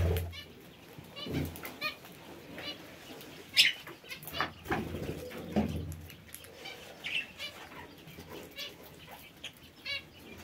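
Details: Parakeets in an aviary giving scattered harsh, buzzy squawks in short bursts, with frequent wing flapping, dull knocks and low background rumble throughout.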